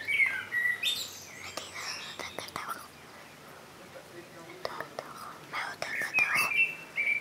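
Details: Blackbird song opening with a clear whistled phrase and high twitter, a quieter stretch of scattered chirps, then another fluted phrase with sharp high notes near the end.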